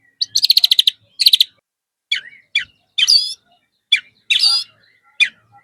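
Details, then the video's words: White-rumped shama song played to get kept shamas singing: bursts of rapid rattling trills, then separate sharp chirps and short bright whistled phrases, with clear pauses between them and a quiet background. "MURAI BATU GACOR ISIAN"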